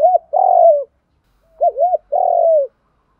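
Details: Spotted dove song in the 'đồng pha thúc gù' voice, meant to urge caged doves to coo: a short coo and a long, soft, slightly falling coo, then two quick arched notes and another long drawn coo.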